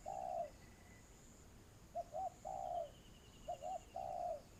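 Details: Ground-decoy spotted dove in a trapping setup, cooing in low, mellow phrases: a long drawn coo, then two sets of two short hoots each ending in a longer falling note, with faint high whistling in the background.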